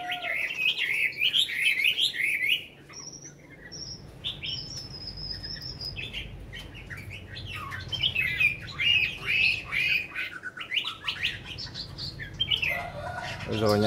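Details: Tame caged Chinese hwamei, kept over five years, in steady song: dense bursts of rapid warbled and whistled notes, a short lull with thin high notes, then further fast chattering phrases; a faint knock near the end.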